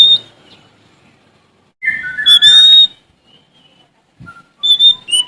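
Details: Oriental magpie-robin from Sumatra singing to challenge rivals. A low warbled phrase leads into a loud steady whistle, followed by soft notes and a closing cluster of clear whistles.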